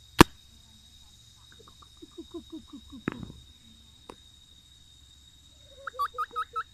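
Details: Reeves's pheasant calling: a run of short, clucking notes repeated in quick succession, then a brief pause and a second, higher series of four or five evenly spaced clucks, with sharp clicks and a steady electronic whine behind.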